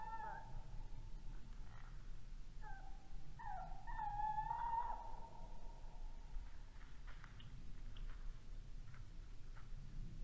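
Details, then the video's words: Male tawny owl at night, 22:45 on 19 January 2016, picked up by a red deer webcam in Estonia: two short low hoots, then a long wavering, quavering hoot lasting about two seconds, with faint background hiss. "sound male Tawny Owl"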